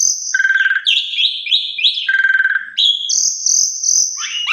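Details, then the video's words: Asian pied starling lure song for drawing other starlings into song: trilled low notes, bouncing slurred phrases and steady high whistles, ending in a rising sweep. "Pancingan Suara Burung Jalak Suren GAGAH,MOMPA FULL ISIAN Bisa Bikin Jalak Suren Lain Ikut Gacor"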